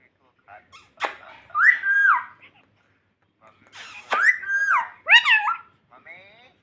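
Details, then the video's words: Pet parrot talking in a room: two groups of quieter, wavering, speech-like syllables with stepped pitch changes, separated by a pause, with some faint clicks and rustling. "Parrot Talking Mummy Mummy || Bolne Wala Tota || Talking Parrot"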